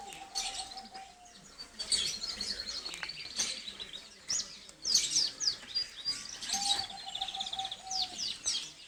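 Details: Pet aviary Gloster canary song: a long steady whistled note opens, then bright high trills and sharp chirps in clustered bursts, another level whistle near the end amid continuing twitters.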